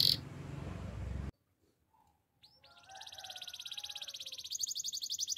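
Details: Spanish timbrado canary song. A loud burst of broadband noise comes first, then a pause of silence. After that a fast, even, high trill starts softly and grows steadily louder.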